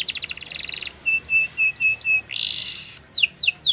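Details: Canary song used for training canaries: a fast buzzy trill, then a string of short two-toned whistled notes, a harsh rolling burst, and sweeping downslurred whistles.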